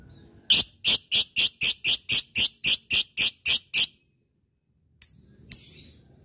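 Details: Fighter lovebird in full voice, giving an ngekek chatter to call a rival: about twelve sharp, high buzzy notes in a fast, even row, then a pause and two short chips.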